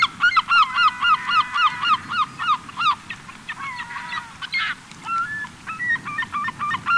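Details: End-of-summer gathering of gulls on a Cotentin beach, 7 September: rapid repeated laughing calls from several birds overlapping, with drawn-out wails mixed in, against background surf.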